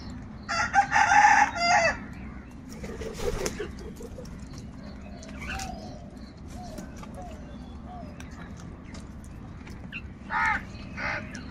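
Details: Crows fighting wild birds for food utter a long burst of harsh, raspy cawing at the start, then softer scattered chirps and short calls, with two more brief caws near the end.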